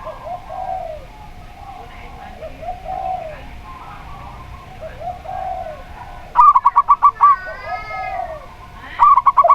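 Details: Perkutut lokal, a local zebra dove, singing clearly, used as a lure for other doves. Soft low coos from a spotted dove come first, then a rapid run of staccato ringing notes ending in a drawn-out note, and a second burst starts at the end.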